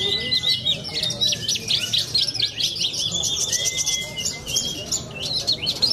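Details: Young caged Australasian bushlark from Cilacap performing at a bird-song contest: a fast, scratchy series of high notes, stuttering bursts, and brief pauses, with a long thin whistle from another bird behind.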